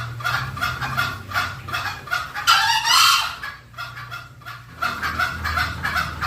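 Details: Green junglefowl sound used as a lure: fast repeated clucking notes, then a drawn-out harsh rasping call, a short pause, and more rapid clucks.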